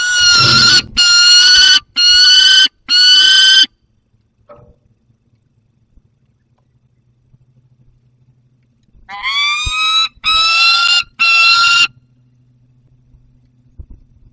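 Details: Juvenile peregrine falcon holding prey in the Barycz Valley on 30 August 2022. Three harsh, drawn-out screams, a long quiet pause with faint background, then another bout of three grating screams.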